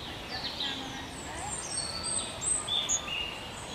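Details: Thin, high-pitched calls of long-tailed tits from a nest-building pair at a lake in the New Forest, England, scattered and overlapping through the clip against soft background noise.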